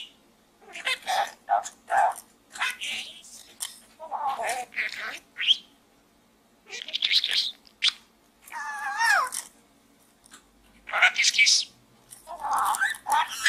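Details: A pet budgie talks inside a small gourd. A rapid mix of gravelly mutters, clicks and warbled whistles comes in uneven bursts, with one wavering, quavering phrase in the middle.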